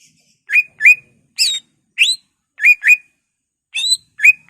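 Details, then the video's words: Greater green leafbird singing a varied song meant to provoke other leafbirds: short whistled and chirping phrases, several with rising then flat notes, repeated about every half second with clean pauses between them, no other sounds. "Pancingan Cucak Ijo merangsang emosi cucak ijo lain"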